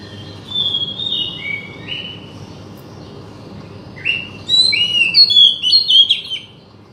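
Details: Oriental magpie-robin song intended to get a silent bird singing: a few soft slurred whistles, a pause, then a louder rich burst of varied high, warbled notes, faint hum underneath.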